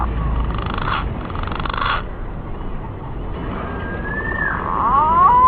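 A green pigeon gives mellow, fluting whistles that wander up and down, ending in a rising, slurred phrase, over a low background rumble.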